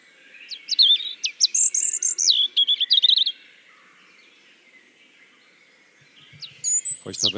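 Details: European Robin song recording played at a Tartu botanical garden festival event in Estonia: rich high warbling phrases with sliding whistles and trills for about three seconds, a pause with low hum, then a thin high whistle and a brief crackling sound.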